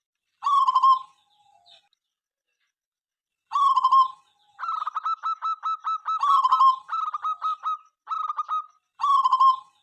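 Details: Zebra dove (local perkutut) singing loudly, said to call morning, noon and night and to set rival birds singing: rich cooing phrases, each a slurred opening coo then a run of rapid staccato notes, repeated with short pauses.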